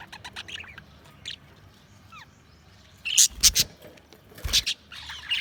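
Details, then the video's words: Budgerigars chirping: quick high chirps and short warbled notes in scattered bursts, with a thin rising note near the middle and louder harsh bursts and sharp clicks toward the end. "Budgies Chirping sound"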